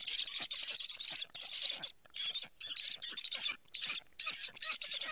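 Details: Black stork nestlings in Estonia, seen by a live camera at 11:15 on 15 July 2017, begging and then defending the nest from a strange stork; rasping, breathy hisses pulse about twice a second with brief gaps.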